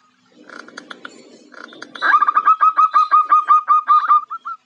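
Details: After a soft rustling start, a female zebra dove (Geopelia striata) calling to attract a male gives a long, even run of rapid, clipped cooing notes at a steady pitch, ending in a few drawn-out coos.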